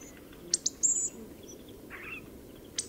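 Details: Hawfinch singing: two sharp, very high ticks, then a thin, drawn-out high whistle lasting a quarter second, a softer buzzy mid-pitched note near the two-second mark, and a final high tick, over a steady low background hiss.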